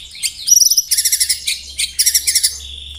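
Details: 'Tembakan rapat' song of a white-rumped shama, used for training contest birds: very high, rapid rattling bursts of sharp notes delivered in quick succession, with brief thin whistles between.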